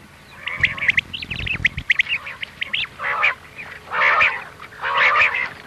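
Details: Common quail 'miankan' calls meant for night hunting: short clipped notes first, then three louder, drawn-out nasal calls spaced about a second apart over a low hum.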